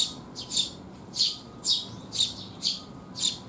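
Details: Several sparrows visit for food on a rainy day in June 2021, giving bright squawky chirps in a steady series of seven, roughly two per second, with a soft background hum.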